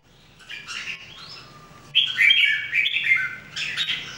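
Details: Red-whiskered Bulbul from a trio of caged birds in daily singing training: soft warbles building into a long bright rolling phrase, then a final short burst of notes.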